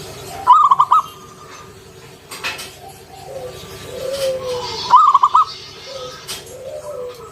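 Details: Wild-type local zebra dove singing ngalun style with a round kung note, a lure to prompt other doves to sing. Two brief rattling runs of rapid coos come about four seconds apart, with faint lower curved coos between them.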